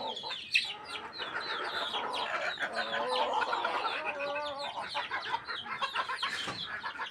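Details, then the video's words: Chickens during feeding, a continuous din of many clucking and murmuring birds, fairly steady in loudness, with one sharp knock near the start. "feed the chickens"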